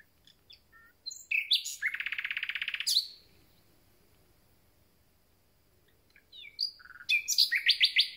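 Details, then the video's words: Common nightingale, just arrived and starting its concert: a rapid buzzy rattle of repeated notes lasting over a second, then a pause and a fresh burst of varied whistles and fast churring phrases. "Słowik rdzawy i jego piękny śpiew"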